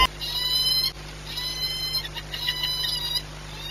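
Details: A peregrine falcon at the Orlen plant nest site in Płock, Poland, on 18 March 2021, around egg-laying, is frightened by noise and gives harsh, nasal, wailing calls in two bursts, rich in overtones, over a steady electrical hum.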